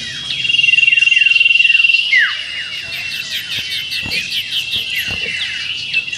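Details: A simulated contest performance by a common iora in the meriwit ngetir style. It opens with a steady high trilled whistle lasting about two seconds, then breaks into quick descending slurred notes and busy chattering, with occasional faint knocks.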